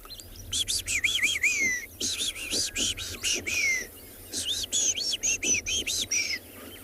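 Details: At sunrise on an African safari, wattled starlings give high, squeaky, wavering notes in quick bursts of eight to ten with brief pauses between runs, over a faint low rural hum.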